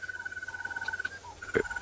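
A Crested Barbet gives a long, even, mid-pitched trill like a ringing alarm clock, breaking briefly and resuming, with a soft lower whistle and a sharp knock behind.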